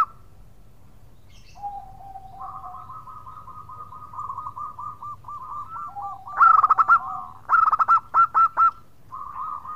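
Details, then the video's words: Local zebra dove calling to companions with the khong crewet style: low steady cooing tones, then a rapid run of five or six loud rhythmic trilled coos near the end, quiet background. "Perkutut Lokal Gacor Suara Khong crewet panggil teman."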